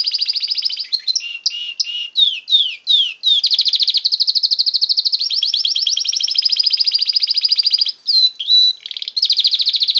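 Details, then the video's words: A male canary sings a long, unbroken song of bright, high notes: twisting chirps first, then fast rolling trills, with no other sounds. "canary singing his heart out"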